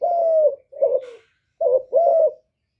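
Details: Spotted dove calling, recorded live without background noise to stimulate pet doves. A long gently falling coo is followed by a shorter double note. After a pause, another pair of coos follows. A brief rustle is heard between them.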